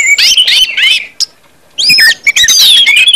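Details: Orange-headed thrush (anis merah) singing in the ngeplong style, used to prompt other birds to sing quickly and fully: loud, varied whistled and chattering phrases sweeping high and low, in two dense bursts separated by a brief pause.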